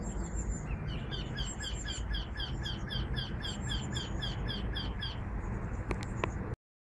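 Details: Eurasian wryneck singing in Parque Collserola, Barcelona, in 2012: a steady run of about fifteen evenly spaced, nasal, slightly rising notes over four seconds, over a constant low rumble, with a couple of sharp clicks near the end.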